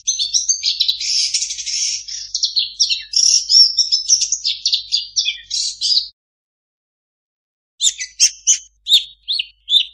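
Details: Long-tailed shrike delivering a long mimicry song, a six-second run of buzzy, trilled and chattering notes, then silence before a handful of sharp, high chip notes.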